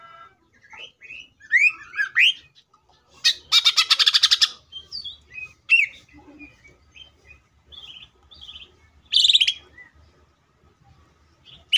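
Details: Greater green leafbird in fierce, nonstop song that opens up its repertoire, used as a lure to make other leafbirds sing quickly and get agitated: varied quick whistles, slurred rising notes, a dense buzzy rattle and scattered chips, with pauses between phrases.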